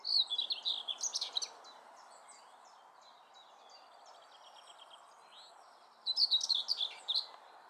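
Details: Common whitethroat at Oud Herlaar, 6 July, gives two brief, scratchy, hurried warbles of chattering notes, the first at the start and the second about six seconds later, over a soft background hiss.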